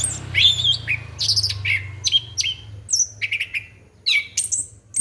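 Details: Orange-headed thrush singing a lure song meant to draw in young birds, rapid high whistles and sliding chirps in an uneven sequence above a low background hum.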